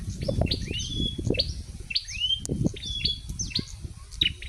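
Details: Late-afternoon wild bar-winged prinia near a house: high, sweeping upslurred chirps spaced irregularly, partly masked by loud low rumbling background noise.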